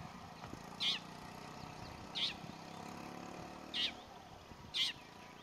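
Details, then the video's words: A long-tailed shrike calling in the Saswad Grasslands near Pune, India, gives four harsh, rasping single notes at uneven intervals of about one to one and a half seconds, over a low steady background hum. "Long tailed shrike calling"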